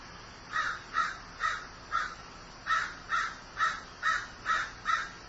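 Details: A grieving crow caws insistently, about eleven short harsh notes in a fast, fairly regular series with a slight pause midway.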